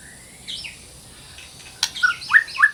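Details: White-rumped shama song from training audio aimed at reviving shamas that have fallen silent. Soft, thin whistles first, then a click and several louder downward-slurred whistled notes over faint background hiss.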